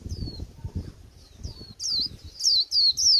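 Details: Newly wild-caught white-eye at the end of the season giving a bland líu twitter: faint high notes early, then loud, rapid, high descending whistled slurs bunched near the end, over low rumbling background noise.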